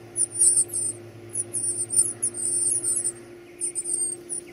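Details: Nestling birds at feeding time make a shrill, near-continuous chorus of high wavering squeaks that pauses briefly, with a constant low hum behind.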